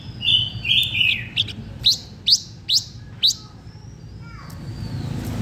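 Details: Blue-winged minla singing to lure other birds: a few warbled whistles, then a series of six sharp upslurred notes roughly every half second, fading into low rumble.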